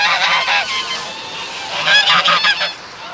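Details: Water-dwelling geese give a dense run of loud, raspy honks, overlapping calls merging into a continuous clamour over about three seconds, with brief higher squeaky notes near the end.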